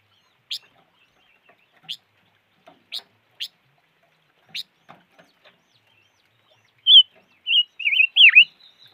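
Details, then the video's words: Silver-eared mesia: scattered sharp, high chips, then a quick run of four wavering whistled notes, the last dipping sharply in pitch before rising again. "Suab noog rheeb quaj chim ngũ sắc"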